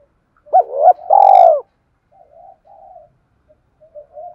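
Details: Spotted dove, 'cu gáy thúc' urging coo used to get a decoy bird cooing: a hooked note and one long, rich, descending coo, then quiet low murmurs before another phrase begins.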